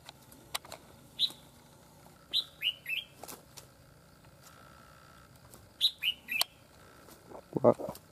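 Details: Red-whiskered bulbul being freed from a fighting trap after clashing with a rival; loud, abrupt chirped notes in two tight bursts of three, separated by sharp clicks and rattles, a man's voice briefly near the end.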